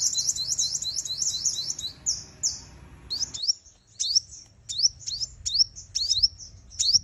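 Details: Decoy call of a female sunbird meant to stir males to fight, used for trapping: a quick, high-pitched rattling trill, then thin upslurred chip notes repeated at irregular short intervals.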